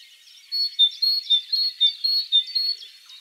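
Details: Great Tit song: evenly spaced, high, whistled two-note phrases repeated roughly every half second over a soft background of other chirps.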